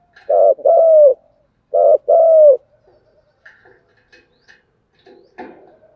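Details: Spotted dove in steady thúc gù cooing: two quick short-then-long coo pairs, followed by faint scattered chirps and soft low mutters.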